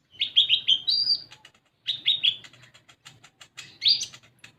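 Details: Olive-backed sunbird lure song for raw birds: fast strings of bright, slightly descending chirps running into a level high note, repeated three times, with light ticking sounds between phrases.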